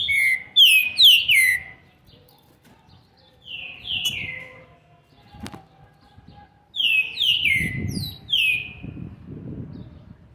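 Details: Fierce-type young green-winged saltator, seven months and twenty days old, delivers loud downslurred whistles in groups of three or four, pausing between phrases, with low rumbling background noise.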